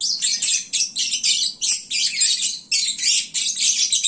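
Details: Noisy lovebirds in the sleepy midday hour after feeding: rapid pulses of shrill, scratchy chirping, bursts roughly every half second.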